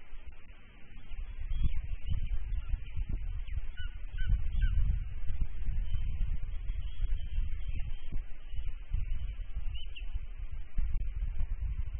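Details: Steady low wind rumble and microphone buffeting throughout, with no clear animal call.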